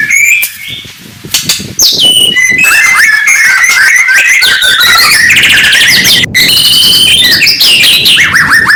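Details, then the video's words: Morning song of a white-rumped shama (murai batu): varied clear whistles, some held and level, others sliding or trilled, flowing continuously after a short quieter start. "kicauan murai batu pagi hari"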